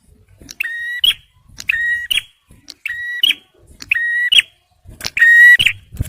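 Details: Song of a male bar-winged prinia, the kind used to lure birds and stir stressed ones into singing: five strident, nasal buzzing notes spaced roughly a second apart, each opening and closing with a sharp tick.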